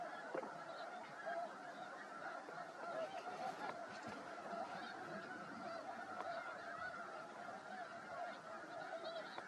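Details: Snow geese flock sitting on a still-frozen lake at Freeze Out Lake, Montana, March, spring migration: ceaseless overlapping honks from many birds, an unbroken roaring chorus.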